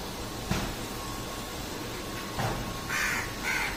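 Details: Local crows in a jamun tree: two harsh caws near the end, with a faint earlier call, over a steady hiss of background noise.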